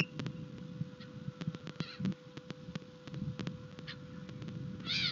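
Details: Ospreys mating at their nest at Rutland on 21 March 2021, filmed by a live nest camera: a few brief, harsh, arched calls with stacked overtones, the loudest at the very end, over steady low rumble and frequent sharp clicks.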